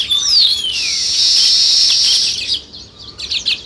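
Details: Sparrows chirp in a thick, steady high chatter that breaks off into a few short twittering bursts, after opening with descending whistled slurs.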